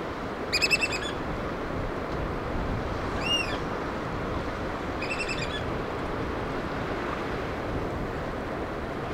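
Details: Black oystercatchers feeding their chicks in Washington's Pacific Northwest: three short, high piping call bursts with ringing overtones, the middle one a single arched note, all set against a steady roar of broadband surf-like noise.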